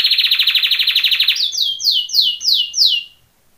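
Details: Training song of a Belgian canary: a quick even trill of repeated notes gives way to five or six loud, sweeping descending whistles spaced about half a second apart, then silence.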